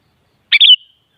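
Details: Sooty-headed bulbul (kutilang) song, played to make a kutilang answer and sing: one short, bright, bubbly phrase of two quick liquid notes ending in a falling whistled tail, in silence.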